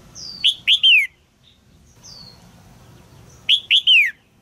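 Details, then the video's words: Female red-whiskered bulbul in a cage, calling to stir a young male into song: two bursts of three sharp, slurred chirps about three seconds apart, with soft thin descending whistles sounding before each burst. "นกหัวจุก birds - นกตัวเมียร้องเจี๊ยก ๆ ในกรงเพื่อกระตุ้นให้นกหนุ่มร้องอย่างไพเราะ"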